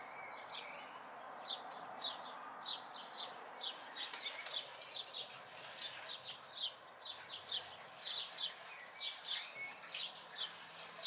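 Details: Fledgling house sparrows near home in May 2020 chirp insistently, the calls quickening into a dense, fast series in the second half, with a quiet background murmur.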